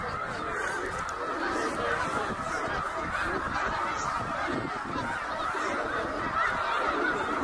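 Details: Tens of thousands of migrating snow geese at Middle Creek, Pennsylvania, in 2023 create a steady, unbroken wall of nasal honking, many voices blending into one roar.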